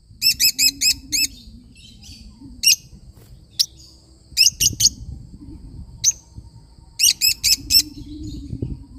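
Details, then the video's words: Lovebird parrot giving quick bursts of four to five ringing chirps, with scattered single notes between them over a low background rumble. "love bird singing sound"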